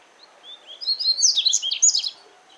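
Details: Double-collared seedeater (coleiro) singing free in nature, southern regional song style from Paraná, Brazil: a rapid sequence of high whistled and buzzy notes, accelerating into a dense twittering burst before ending, over faint background hiss.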